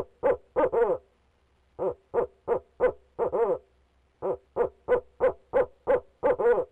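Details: Male barred owl calling persistently from inside a nest box, a run of short, rapid hoots in quick bursts with brief pauses, clustered at mid pitch with harmonic overtones, roughly three notes per second, interior room sound.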